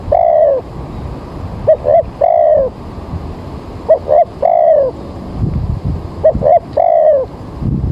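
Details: Repeated cooing of a spotted dove, played or heard while trapping birds early in the morning as rain threatens: three phrases about two seconds apart, each two quick soft notes then a longer falling coo.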